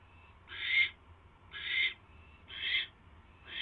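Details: Owl calling at 8:34 PM on 24 January 2016 as the male brings a mouse to his mate; hoarse, breathy screeching bursts about once a second, each short and rough.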